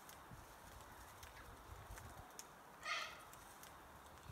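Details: Corellas gathered in Cotoneaster trees across a road, feeding on the red berries in season; a single short, harsh screech rises out of a low steady hiss.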